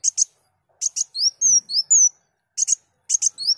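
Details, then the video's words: Sunbird, recorded as a training model for songbirds: sharp doubled chips at the start and end framing a brief run of loud, high, wavering whistles. "Burung Kolibri Daun Gacor"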